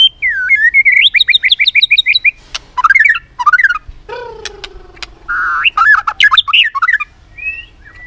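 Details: White-rumped shama singing competitively with repeated clicks: looping whistles lead into a quick series of bright chirps, then sharp clicks, a long low descending note, and a burst of varied rich warbled phrases.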